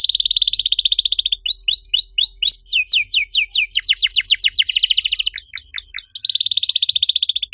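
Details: Canary master song meant to draw other canaries into singing: fast trills, arching slurred whistles, and rapid sweeping notes running almost without pause, ending in a high trill.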